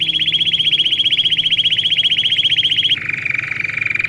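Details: Domestic canary song used to train young birds: a rapid, very regular rattling trill held for three seconds, then dropping abruptly to a slightly lower, softer trill of the same fast pace.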